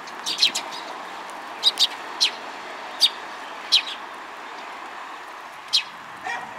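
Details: Sparrows at a waterside bridge in Japan on the afternoon of 31 March 2022, giving short high chirps, single or paired, at irregular intervals of about half a second to two seconds, over a steady hiss of distant traffic.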